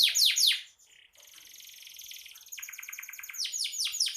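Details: Canary singing actively: two loud descending sweeps, a brief pause, then a soft buzzy rattling tour followed by accelerating rolled notes climbing in volume.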